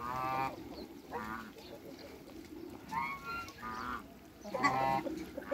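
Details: A pair of African geese in a backyard with other waterbirds, giving several loud harmonic honks spaced about a second apart, with a steady background hum.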